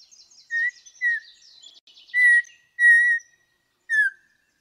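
Audubon's Oriole gives five slow, mellow whistled notes, each steady or slightly falling, with unhurried pauses. Soft, high chatter from other birds runs behind.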